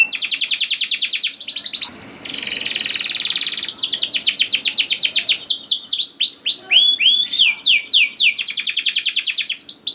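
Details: Singing canary used as a lure to get young canaries to sing: long rapid buzzing trills broken by a brief pause, then a cascade of sweeping whistled notes and more rattling trills.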